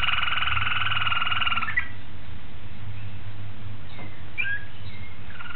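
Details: A Malinois Waterslager canary singing on 26 October 2012. The song begins with a fast, liquid, bubbling roll in two stacked tones, lasting almost two seconds, then gives way to sparse short chirps and slides over a constant low hum.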